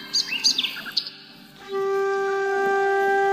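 A myna gives a quick burst of sharp, high chirps and squeaky notes over about a second. Then a steady, flute-like musical tone takes over.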